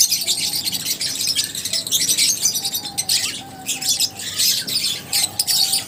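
Lovebirds chatter in a dense, continuous wash of shrill, high chirps and squeaks, several birds calling over one another without pause.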